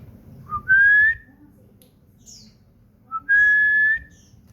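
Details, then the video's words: Common iora kept at home sings two drawn-out whistles, each opening with a short low note and then rising slightly, spaced about two and a half seconds apart. A brief high chirp falls between them. "burung cipow / sirtu gacor"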